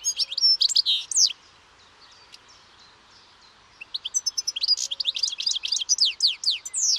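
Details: European goldfinch song: a loud twittering phrase, a pause of near silence, then a long, lively sequence of quick, sweeping high notes and trills.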